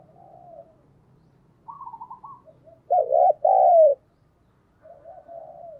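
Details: Cooing of a decoy spotted dove meant to lure wild birds. Faint soft notes and a higher wavering trill lead into a loud two-part coo near the middle, then gentle quieter cooing, over a faint low background hum.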